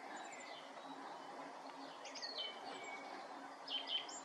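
Song thrush singing short, bright whistled and chirping phrases with pauses between, over a steady background hiss of outdoor noise.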